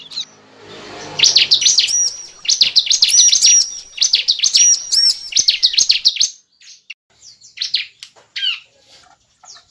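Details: Lure recording of a bar-winged prinia for trapping birds: after a soft low hum, rapid high chirping phrases of looping, sweeping notes pour out for about five seconds, then thin out into scattered single chirps.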